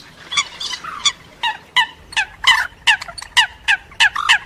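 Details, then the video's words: Eurasian coot calls mixed with moorhen calls: a run of short, sharp, harmonic-rich notes, some paired, repeated about every quarter to half second with brief gaps, over a quiet background. "New Coot And Moorhen Mix Call"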